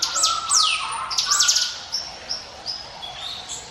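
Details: Prinia singing, a recording offered as a lure for other birds: sharp high whistled notes sweeping steeply down, then fainter short high chirps spaced through the rest.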